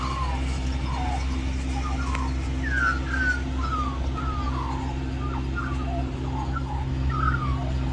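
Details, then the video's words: Among magpies gathered for mango at a lunchtime stop in Middleton Grange, Australia, one sings a soft sequence of slurred, descending whistled notes, partly masked by loud low-frequency hum and rumble. "Magpie Sings For More Mango"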